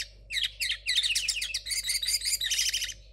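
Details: Young linnet hybrid from 2022, its song still muddled and unrefined, gives a fast, dense run of twittering, buzzy notes and trills, sung almost without a break over a steady low electrical hum.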